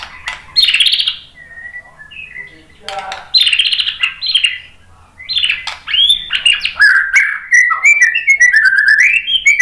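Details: White-rumped shama singing as a lure to make other birds answer: varied phrases of rich whistles, slurred warbles and quick chirps tumbling up and down, with a brief quiet gap midway and a fast jumbled final stretch.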